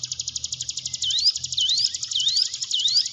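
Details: Steady fast buzzy rattle from a hill prinia, with four rising whistled slurs laid over it at roughly half-second spacing. Played to stimulate quiet caged birds.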